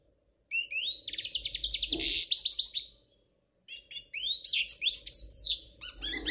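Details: Spanish royal goldfinch, described as singing without errors: a rapid, bright, high twittering run of buzzy trills and sliding notes, then a pause of under a second and a second burst of quick chattering phrases. Faint low hum in background.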